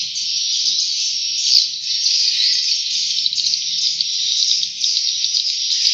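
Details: Swiftlet chicks from Kalimantan calling: a continuous high-pitched hissing buzz of overlapping cheeps, steady throughout with small swells in loudness, no other clear sounds.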